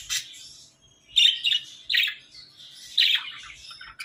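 Budgerigar giving bright, scratchy chirps and squawks in irregular bursts about a second apart.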